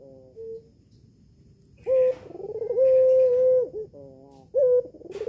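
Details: Red-eyed albino female collared dove at home, calling to draw a male's reply: a brief soft note, then a long steady mid-pitched coo with a rolling onset, a short harmonic burst, and another coo starting near the end.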